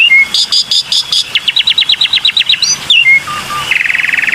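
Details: Black-winged myna lure song: flat whistles and rapid repeated notes, then about ten quick descending chips, a sweeping squeal, two short low whistles and a long fast buzzy trill at the end.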